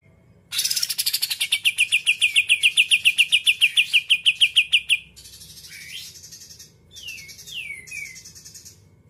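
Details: Greater green leafbird song meant to rouse other leafbirds: a fast, bright rattle of repeated notes for about four seconds, then a few separate slurred whistles that swoop up and down.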